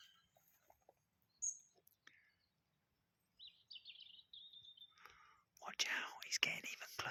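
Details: Black woodpecker, possibly a female, close by in trees near a road, gives a quick series of high, slightly falling notes lasting over a second, between whispered human voices and rustling; tapping on wood is also heard.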